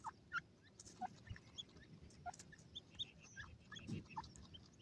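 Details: Playing grey francolin chicks utter sparse, faint, clipped peeps, single short notes spaced about half a second to a second apart, over soft low background noise.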